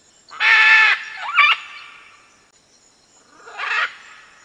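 A red-and-green macaw gives harsh, raucous squawks: a long grating screech, a shorter rasp, then another after a pause.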